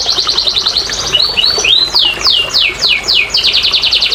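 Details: Canary singing used as a prompt for silent canaries: a fast pulsed trill, short curved notes, then widely spaced descending sweeps and another quick trill.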